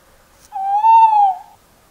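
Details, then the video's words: A tawny owl gives a single clear, hollow hoot lasting about a second, steady in pitch with a slight swell in the middle, against a quiet background. "Tawny Owl Call"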